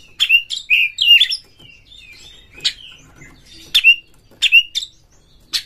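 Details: Oriental magpie-robin song meant to provoke rival magpie-robins: whistled notes and rasps in a quick opening phrase, then spaced sharp chips, each followed by a short whistle.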